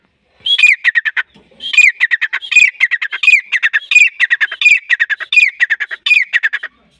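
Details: Grey francolin from Pakistan, a call used as a lure for hunting in the hunting season: loud phrases repeated about every 0.7 seconds, each a rising squeaky note followed by a rapid rattle of harsh clicking syllables, in clean surroundings.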